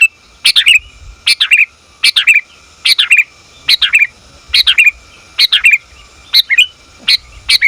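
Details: Sooty-headed bulbul, female, calling her mate, recorded for luring; steady series of about ten sharp, descending chirp phrases, each a quick double note, spaced under a second apart, clear and dominant.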